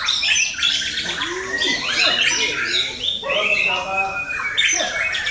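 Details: Male white-rumped shama conditioned for song competitions in Indonesia delivers loud, mixed phrases: sweeping whistles, grating harsh notes and quick trills, with overlapping birdsong in the background.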